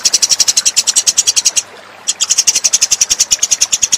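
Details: Eurasian tree sparrow lure call: a steady stream of quick, high, sharp chirps, pausing for about half a second midway, then continuing at the same fast pace.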